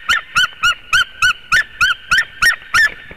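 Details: White-tailed eagle at its nest in Latvia, recorded by a webcam, yelping about ten times in just over three seconds. The notes are short, evenly paced, slightly bending and strongly overtoned.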